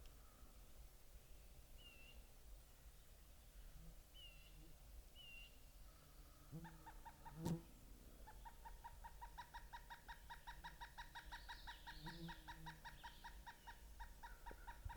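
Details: Wild pileated woodpecker, a mother with her two juveniles high up in trees on an overcast day. Several faint high chirps, a thump, then a long, rapid, steady series of repeated harmonic notes that runs to the end.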